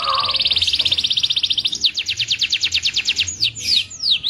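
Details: Indonesian local canary delivering a long rapid buzzy trill of evenly pulsed notes, shifting to a faster rattle, then closing with swooping whistles.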